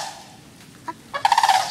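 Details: Sandhill cranes calling as they leave a front yard: after a short soft note, a loud rolling rattle of rapid pulses runs for half a second, with a person's voice faintly beforehand.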